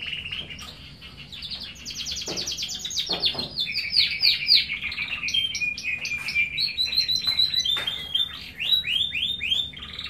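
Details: Domestic canary, a small yellow pet songbird, singing in lively 'gacor' style: a continuous rapid warble of rolling trills and bright chirps, high-pitched, with fast repeated notes and short rising and falling phrases throughout, with faint low background hum.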